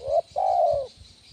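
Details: Close spotted dove coo of the 'kuk 1' lure type used for training other doves: the end of a short note, a brief break, then one sustained, smooth, softly descending coo.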